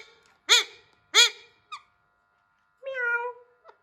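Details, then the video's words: Hand-tame Alexandrine parakeet trying to talk clearly, giving two loud arched meow-like syllables, a short squeak, then a longer level drawn-out tone after a pause, in a quiet small room. "Handtame Raw Parrot Trying To Talk Clearly"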